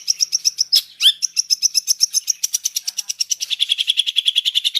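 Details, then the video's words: Long-tailed shrike performing a mixed fill-in song: a rapid, steady trill of high pulsed notes, broken once by a loud rising whistle, then continuing slightly lower and faster. "Suara Cendet Campuran Isian Full"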